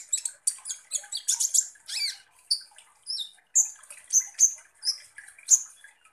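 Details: Energetic high twittering from a kolibri ninja (Van Hasselt's sunbird), a song used to provoke konin birds: tight clusters of shrill chips, a buzzy downslur, and spaced sharp whistled notes roughly every half second.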